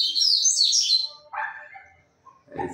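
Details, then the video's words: Rusty-collared seedeater, a kept singing bird in Brazil, delivering a rapid, high, slurred warble that drops into lower chirps, then a short pause and a man starting to speak. "coleiro cantador"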